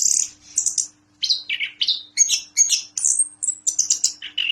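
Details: Orange-headed thrush in loud continuous song: a sequence of varied whistled phrases jumping between high and lower pitches, some downslurred, with sharp high notes, each phrase about a quarter second.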